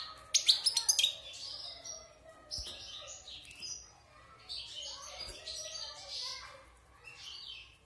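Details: European goldfinch, wild bird caged six months after moulting, starting with a loud cluster of sharp chirps, then softer rambling twitters and buzzy notes with a couple of faint clicks.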